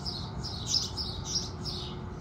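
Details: House sparrows at sunrise: a short burst of four or five quick, slightly softer chirps in close succession over a fairly noticeable low background rumble.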